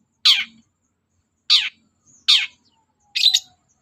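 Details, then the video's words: Long-tailed shrike in the morning, singing to goad other birds into replying: four loud, rasping, high notes, each short and buzzy, separated by pauses of about a second. "CENDET GACOR PAGI HARI BIKIN BURUNG APAPUN EMOSI NYAUT BUNYI"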